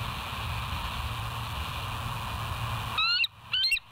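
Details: Bald eagle at West End, live cam, 07/09/2023 at 06:24. A steady hum fills most of the stretch before two short, high-pitched squealing notes break in at the end.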